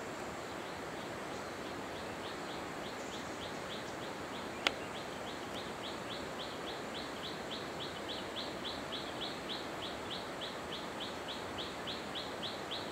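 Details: Hill blue flycatcher at Khun Korn Waterfalls, Thailand, 2012: a long run of short, faint, high descending chip notes, repeated steadily about three times a second over constant waterfall-like background rush, with one sharp click.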